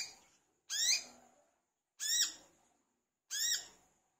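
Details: Olive-backed sunbird, locally wiceh, in vigorous song meant to make other birds sing. Three loud, high, downslurred notes with fading tails, evenly spaced about a second and a half apart.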